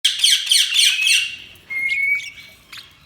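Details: Budgerigars chirping: a fast run of harsh, buzzy squawking notes for about a second, then a thin steady whistle and a few scattered sharp chirps.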